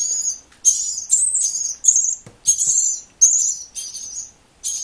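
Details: Three very young nestlings, rescued from a nest placed inside a machine and fed every 20 minutes, begging loudly during feeding: shrill, high, buzzy calls in bursts of about a second, separated by short pauses.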